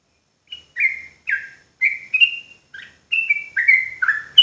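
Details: ['Javanese sooty-headed bulbul (trucuk) in full song meant to stir rival bulbuls: after a brief pause, around eight mellow, liquid whistled phrases with downward slurs, spaced about half a second apart, clean with no background noise.']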